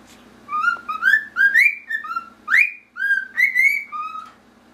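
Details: Pet cockatiel, a grey male, sings Pop Goes the Weasel to his pied male companion, each note a pure swooping whistle, rising slides and steady tones strung into a lilting nursery tune over a quiet background hum.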